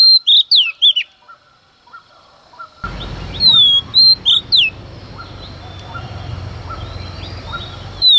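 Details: Female Oriental magpie-robin, singing at dawn to provoke males, delivers short bursts of loud, sweeping whistles at the start and middle, while a steady broad rushing noise fills the background from about three seconds on.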